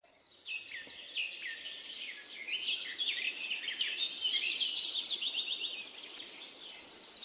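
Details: Nightingale singing in a forest, with other birds; varied high phrases of whistles and quick chirps, ending in a fast buzzy repeated trill that grows louder.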